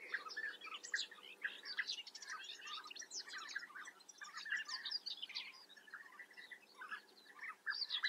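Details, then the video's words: Many European bee-eaters at a breeding colony in the Eifel, Germany, producing a crowded chorus of burry rolling calls and sharp higher chirps, overlapping constantly, with a small lull near the seventh second. "European bee-eater. Germanys most exotic birds: Bienenfresser Kolonie in der Eifel."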